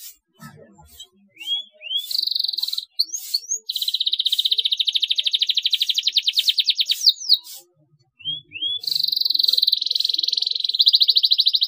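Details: Canary song as a lure to make young canaries chirp: rising whistles leading into long buzzy trills and fast rolls, a brief break with faint background sounds, then more upslurs and an extended trill.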